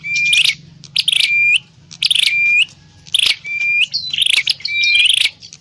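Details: Prenjak klawu prinia call used as a lure for trapping birds; six loud phrases, each a scratchy burst followed by a clear flat whistle, spaced about one second apart with quiet gaps between.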